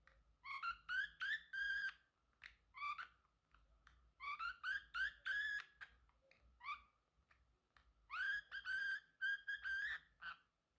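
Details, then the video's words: Male Pacific parrotlet kept as a pet, singing, chirping and talking: repeated groups of three to five rising, slurred, squeaky notes, with short gaps between groups. "Parrotlet Talking ✨️ Cute Funny Sounds"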